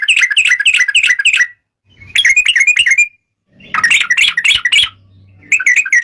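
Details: Excited yellow-vented bulbul, a lure track meant to provoke song in other bulbuls: dense bursts of rapid, chattering, gurgling notes in three blocks separated by short gaps with faint low hum.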